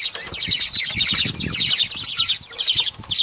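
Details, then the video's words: Several lovebirds keep up a nonstop shrill twitter of fast, scratchy high notes, swelling in bursts with brief dips between them. "Love birds"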